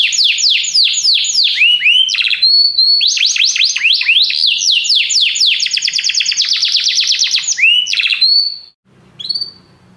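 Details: Many canaries singing together after hearing music: dense rapid sweeping chirps and rolling trills for about eight seconds, ending in a short whistled note after a pause.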